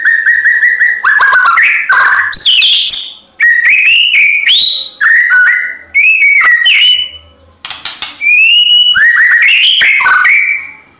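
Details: White-rumped shama (murai batu) singing vigorously in fighting mode, a song meant to provoke other shamas into answering: rapid varied whistled phrases with swoops, trills and sharp notes, nearly continuous with brief breaks.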